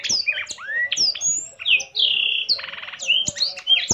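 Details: A blackthroat in full song, wings open, mixes swooping high whistles and long sliding notes with a brief buzzy rattling phrase midway, punctuated by sharp clicking taps.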